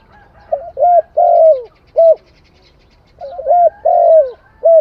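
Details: Spotted dove cooing in Cambodia, two full phrases of short warbled coos ending in a longer down-sliding coo and a brief closing note, clear and close with faint background.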